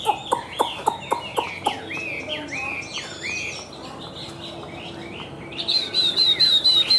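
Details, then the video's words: Chinese hwamei, white-winged and white-tailed, known for high singing and boldness, opens with a string of evenly spaced clicks, moves into varied slurred whistles, and closes with a quick repeated high whistled trill. "Họa Mi Cánh Trắng Đuôi Trắng - Hót Cao"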